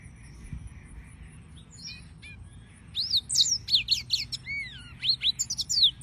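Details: Yellow-fronted canary song starting with a few soft high notes, then swelling after three seconds into a lively run of upswept whistles, descending slurs and quick chirps.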